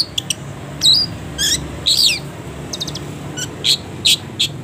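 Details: Long-tailed shrike song used as a training recording for caged birds, delivered with many pauses: scattered sharp high chirps and a couple of louder buzzy, rasping bursts separated by gaps, over a steady low hum.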